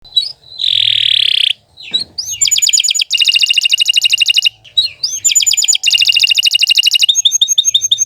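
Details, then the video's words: Caged canary singing a long, loud song: a buzzy trill, then fast rattling trills of repeated high notes, broken by short pauses and a swooping whistle, continuing in bursts to the end. "Kicau Burung Kenari II GACOR PANJANG"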